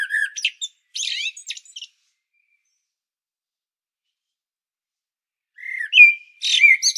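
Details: Common blackbird on Medvednica Mountain above Zagreb, Croatia: bursts of high scratchy twittering, then about four seconds of silence, then a low fluted whistle followed by a squeaky, chattering flourish.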